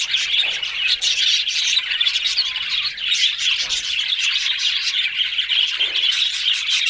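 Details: Steady budgerigar twittering: many high, scratchy chirps overlapping into a lively warble, with occasional louder squeaks.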